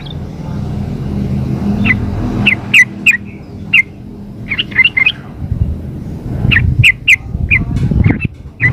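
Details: A female sooty-headed bulbul calls for the male with scattered sharp chirps and short double notes, irregularly spaced, over rumbling background noise.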